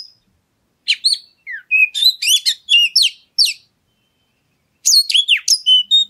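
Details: Oriental magpie-robin song used as a lure to provoke other birds into singing: bursts of varied clear whistles, sweeping notes and short trills, with a pause of over a second between phrases. No other sounds.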